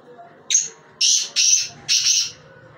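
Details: A black francolin's grating phrase: one brief high note, then three loud, scratchy bursts delivered in a steady rhythm.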